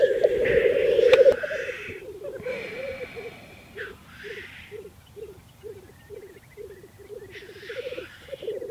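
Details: Black grouse lekking in a mating display in Teesdale, North Pennines, UK: a loud opening burst, then a steady series of low bubbling pulses repeated roughly three times a second, with occasional hissing rushes higher up.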